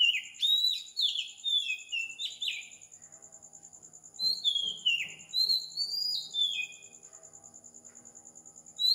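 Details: Sri Lankan Oriental magpie-robin singing at 4 am in the morning: rapid falling whistles at first, a quiet stretch filled by a pulsing high background buzz, then several bright downslurred phrases and a final note.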